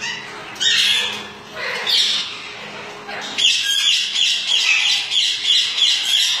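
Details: A lutino Alexandrine parakeet from a breeding pair gives loud, harsh, raspy squawks in quick bursts, about three a second, over a faint steady low hum.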